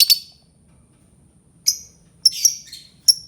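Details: Albino lovebird with a few scattered shrill chirps and a brief harsh squeaky burst between quiet gaps.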